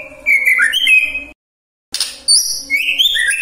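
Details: Sharp, bright whistled phrases from a magpie-robin, sung to make other magpie-robins react, broken by a brief gap, with a faint steady hum in the background.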